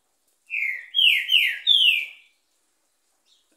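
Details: Green-winged saltator singing on a Monday at nearly ten in the morning: a clear whistled phrase of four slurred notes, each sliding downward, the later ones starting higher, delivered in under two seconds in a quiet setting.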